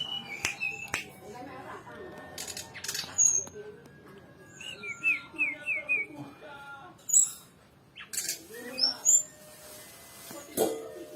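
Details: Brown-chested jungle flycatcher in lively full song with rich fill-in phrases, mixing short chirps, a rapid falling trill and sharp high notes, with pauses between bursts and faint background noise.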